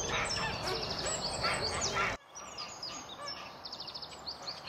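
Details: Hungry Eurasian spoonbill chicks in a nest at the Delftse Hout colony near Delft, Netherlands, seeking food from parents, give harsh, buzzy, rapidly repeated calls, many birds at once, amid the chatter of the busy colony.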